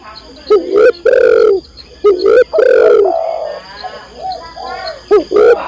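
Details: Spotted dove hen calling her mate, kept for bird-training audio: loud, throaty coos in clusters of two or three, some drawn out and falling, with quieter coos in between.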